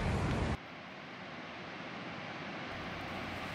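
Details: Loud low rumble of a passing vehicle cuts off abruptly, leaving steady outdoor traffic and wind hiss with no animal calls.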